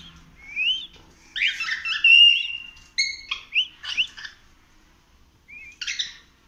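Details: Cockatiel singing as it explores the house, a series of clear rising and falling whistles mixed with short chattered notes, a long steady whistle near the middle, then a brief rising whistle and a final chirp.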